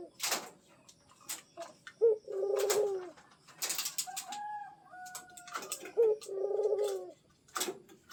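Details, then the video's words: Zebra dove kept as a pet and prompted to call steadily; two low trilled coos, each opened by a quick sharp note, separated by faint whistled tones and scattered clicking noises. "PUTER PELIHARAAN, DI PANCING BUNYI TIADA HENTI"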